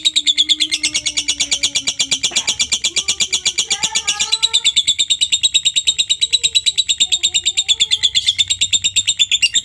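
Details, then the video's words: Lovebird ngekek-style masteran recording meant to make other lovebirds sing: a continuous, fast, shrill trill of steady pulses, several per second, sustained through the whole stretch with only slight shifts in tone. "masteran suara Lovebird ini mampu membuat Lovebirdmu gacor"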